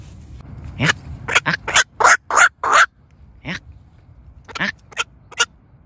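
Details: Night heron decoy recording for calling the flock: a run of abrupt, hoarse quok-like calls, loud and closely spaced in the middle, then fainter scattered calls toward the end, with little other sound.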